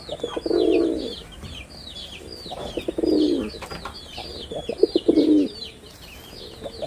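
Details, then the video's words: Performing male pigeon of a red-bordered wild type gives three rounded, throaty coo phrases roughly every two seconds, each rising then falling, over constant high twittering from many small birds. "লাল বডার বুনো কবুতরের অসাধারণ ডাক"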